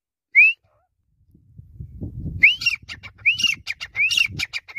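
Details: A single clear rising whistle comes from a grey francolin (teetar), then low rumbling background noise. Three energetic phrases follow, each a whistle slurring upward into a burst of harsh chattering notes.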